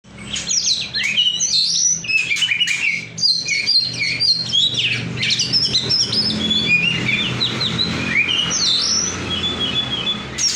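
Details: Oriental magpie-robin singing: a rapid, continuous stream of high, varied whistles, sweeps and chattering phrases with no pauses, over a steady low hum.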